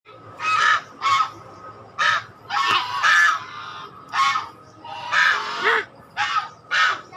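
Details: Swan giving harsh, nasal honking calls in short bursts, about ten over seven seconds at uneven intervals, with a steady faint tone running underneath.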